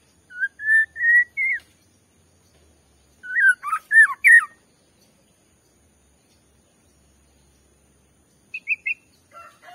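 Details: White-rumped shama provoking song: a steady rising whistle, a long silence, a cluster of sharp, varied warbled notes, then a few soft high chips near the end, with quiet between phrases.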